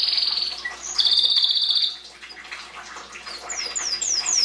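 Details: Belgian canary in the 2016 breeding season, singing to encourage chicks: a fast buzzy high trill, a second longer rattling trill, then quieter twitter and a run of short descending high notes.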